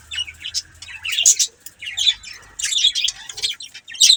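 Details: Budgies warble and chatter continuously in high, twittering, scratchy phrases with quick rising and falling notes, plus sharp squeaks, over a faint low hum.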